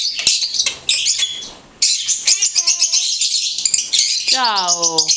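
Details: Talking blue-headed conure producing continuous harsh, buzzy high chatter with clicks, plus two voiced, word-like tones, one steady and one gliding down, near the end.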